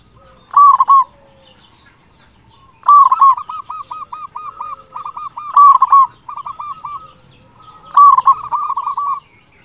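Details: Loud local zebra dove used as a lure to rouse other zebra doves: four bursts of rapid cooing, each starting with a sharp loud note, then long runs of even, hooked notes.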